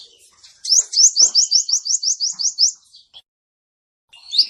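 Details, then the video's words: Male sunbird singing, a sound used to attract birds for trapping: an even series of about a dozen quick upslurred high whistles. It ends with a short pause and one more rising note. "SUARA BURUNG KOLIBRI NINJA BUAT MIKAT"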